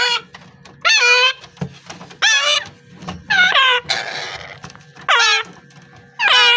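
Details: A raw, hand-fed Alexandrine parakeet chick gives harsh, rasping squawks that bend upward at the end, about one every second and a half, with a steady low hum behind.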